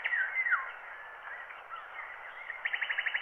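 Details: Wild bird songs captured by microphone, then transferred to a black wax cylinder blank at 90 rpm; muffled, narrow-band chirps and short whistled slurs, ending in a fast, even trill of about eight notes over steady hiss.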